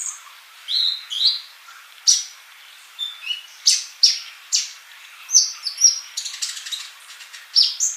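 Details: Energetic sunbird singing for a caged-bird tutoring track: a varied run of thin high chips, brief rising and falling whistles and scratchy notes spaced at uneven intervals, clean and free of background noise.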